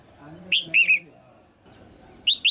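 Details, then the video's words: Red-whiskered bulbul, a caged female calling to stimulate the male's singing: three sharp chirps in quick succession, a short pause, then two more high notes, over faint low background sound. "นกหัวจุก birds - เสียงนกตัวเมียในกรง กระตุ้นให้นกตัวผู้ร้องหนักขึ้น"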